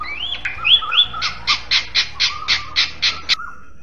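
Bali myna giving a loud, clear run of rising whistles followed by about nine harsh, chattering notes, roughly four per second.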